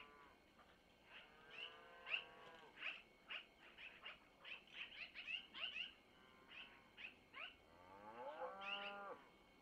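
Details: At a Missoula long-eared owl nest, 25 April 2024 around 05:05, owlets fed by their mother give uneven series of short, high squeaks, with lower quavering, rising-and-falling calls at the start and end.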